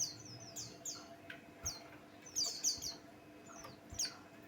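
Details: Buxtoni white-eye singing as a provocation for other songbirds: bright high chirps sliding downward, a busy burst early and scattered single notes later, with a few soft knocks.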